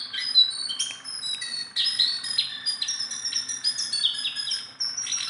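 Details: Hand-tame Sunda bulbul that sings constantly: jumbled high chirping and thin whistled notes run almost without pause, with a slight dip near the end.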